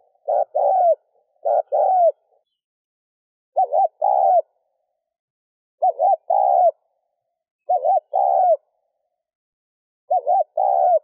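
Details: Spotted dove giving cooing to stimulate a decoy: six evenly spaced double coos over eleven seconds. Each starts with a wavering, dipping note and ends with a longer mellow coo, with silence between.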